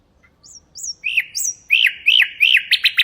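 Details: Common nightingale song, recorded as a teaching aid for goldfinches and canaries: thin high upslurred whistles give way to louder arched notes repeated about every third of a second and a rapid closing stutter.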